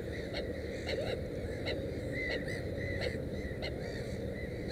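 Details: Black-headed gull near its nest with three chicks, giving short rasping arched calls roughly every half second, with a steady low background hum.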